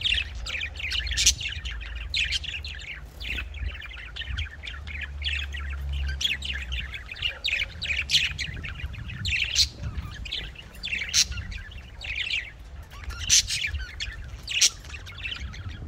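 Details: Playful, energetic Australian budgerigars chatter with busy, scratchy chirps and warbles, high and constant.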